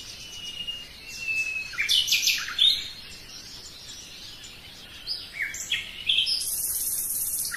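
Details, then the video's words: Common nightingale song in a forest: a thin level whistle gives way to loud choppy bursts of notes. After a pause come more scattered phrases and a sustained high buzz. "Пение соловья"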